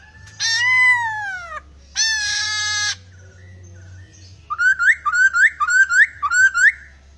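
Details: Laughingthrush singing steadily, its song full of varied, odd sounds: two long, harsh, downslurred squawks, then a rapid series of sharp rising whistles, with a faint low hum behind.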